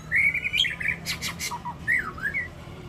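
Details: White-rumped shama, champion of a Ladong singing contest, sings a warbled run of whistles broken by sharp buzzy chips, then swooping slurred notes, against a backdrop of other birds.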